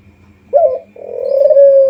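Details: Spotted dove lure call: a brief coo note, a short pause, then a long swelling coo that grows louder toward the end over a faint low hum.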